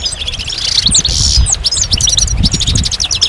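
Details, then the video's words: Rapid liquid twitters and sharp high whistled slurs from a goldfinch, delivered in quick bursts with buzzy rattles, against steady low background noise. "Magical Goldfinch Songs"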